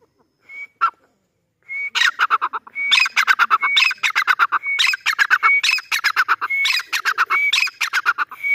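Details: Irani teetar, the grey francolin, giving a few thin whistled notes, then a long burst of loud, harsh notes repeated in quick succession without pause.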